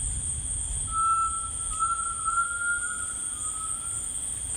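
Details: A Grey Tinamou in rainforest gives one long, pure, mellow whistle lasting about three seconds, swelling slightly and then easing down, over a steady high insect drone.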